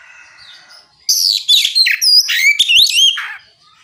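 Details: Magpie-robin in full ngeplong song, aimed at prompting any other magpie-robin to join in. Soft low twittering gives way to a loud, continuous burst of sweeping whistles, rapid slurs and chatter lasting over two seconds.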